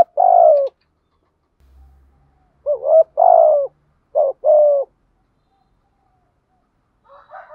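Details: Decoy spotted dove cooing to draw in wild doves: deep, soft, slightly rough coo notes in a short run of paired phrases, then a fainter coo at the end; otherwise quiet.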